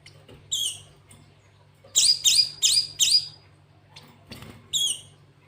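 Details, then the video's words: Bright ringing chirps from a cinereous tit singing canary-style phrases: a lone note, four quick rising notes in a row, then a final chirp, with light clicks and a low hum behind. "Burung gLatek watu full isian kenari"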